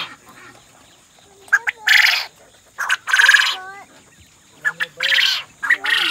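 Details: Several farm quail chirp in short, nasal peeps, some slurring downward in quick pairs, broken by harsh raspy bursts, over a steady high hiss.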